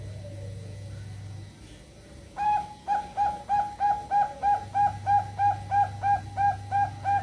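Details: Zebra dove, local and Bangkok perkutut, in a recording used to prompt other perkutut to sing: after a low electrical hum and a pause, a brisk run of about thirteen even, hollow coos, close to three per second.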